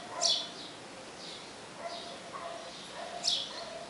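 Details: A male sparrow calls the female to the nest with two short, bright chirps about three seconds apart, with faint softer notes between them over a quiet background.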